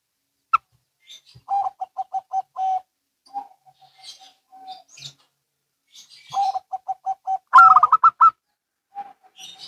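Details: Local and Bangkok zebra doves calling in reply: a series of soft, evenly spaced coos, a pause with faint coos, another soft series, then one loud, rapid, rattling coo burst and a few quiet coos.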